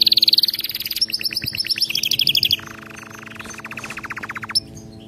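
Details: Canary singing for song training: bright high trill at the start, then a series of fast, even rolls stepping lower, finishing with a steady lower rattling trill of evenly spaced notes.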